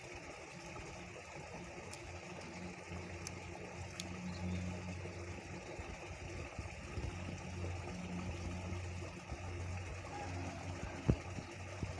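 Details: A steady low engine hum runs throughout, with faint background hiss and a single sharp click near the end; no animal calls stand out.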